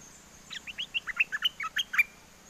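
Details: Bulbul kept in a cage in Chana, Songkhla, southern Thailand, singing wild-style song to call a mate: about ten quick, bright chirped notes in an even rhythm, some rising and some falling, over faint background hiss.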